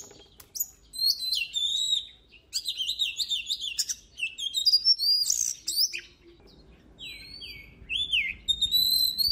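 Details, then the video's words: Oriental magpie-robin singing during voice training: bursts of fast varied whistles and trills, a short quiet gap, then sweet downslurred whistled notes with a low hum in the background. "Luyện giọng chòe than HÓT HAY || Kích chòe than hót căng lửa || Suara Burung Kacer Gacor"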